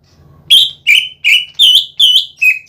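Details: Greater green leafbird singing in full gacor voice, a lure recording meant to provoke other leafbirds: six loud clear whistled notes in steady succession, each a short slurred phrase, over a faint low hum.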